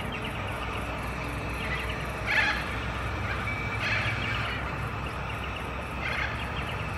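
Harsh, scratchy screeches from long-billed corellas, a few seconds apart, over a steady low rumble of wind or distant traffic.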